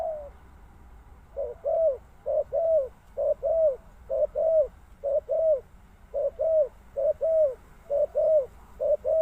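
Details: Spotted dove repeating low paired coos, a short note leading into a longer curved one, about fourteen pairs in a regular rhythm after a brief quiet start.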